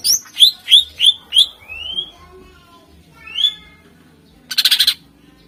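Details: Greater green leafbird song used as a lure to set off contest birds: loud whistled notes repeated about three times a second, then a rising slurred whistle, another rising note, and a short rattling burst near the end.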